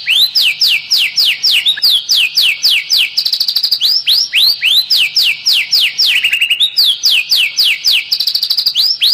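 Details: White-rumped shama giving sustained kretekan song to provoke other birds, recorded 24 January 2023: a continuous rapid stream of loud, repeated downward-slurred whistles, about four per second, interspersed with fast rattling ticks.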